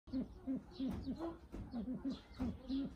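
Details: Brown eared pheasant giving low, short croaking notes, repeated irregularly several times a second, over a rough background of murmuring and faint higher noises.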